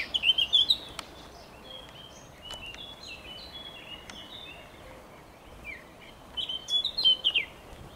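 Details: Eurasian blackcap song from a recording dated 27 May 2023 that also features a calling cuckoo: high, bright warbled phrases burst out at the start and again near the end, with quieter scratchy twittering and faint clicks between.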